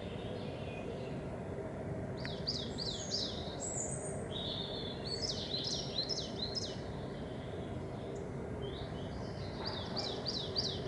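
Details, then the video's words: In spring, a coal tit sings bursts of high, quick two-note phrases repeated several times. Great tits and chaffinches are in the background, over a steady low rumble of wind or distant traffic. "cincia mora con sottofondo di cinciallegre e fringuelli"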